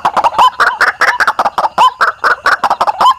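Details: White-breasted waterhen lure call from Indonesia, used to attract birds: harsh, croaking notes in a dense, uneven series, with short upward-hooked squeaks among the rough bursts.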